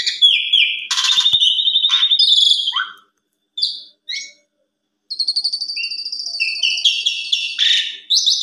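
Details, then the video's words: Asian pied starling evening lure song for training young birds, showing off its varied repertoire: a long buzzy, trilled note, sharp chips, a short gap, then bright high rattling trills and whistled phrases. "Pancingan Sore Paling Ampuh !! Jalak Suren Bongkar Isian Cocok Buat Masteran Jalak Suren Masih Muda"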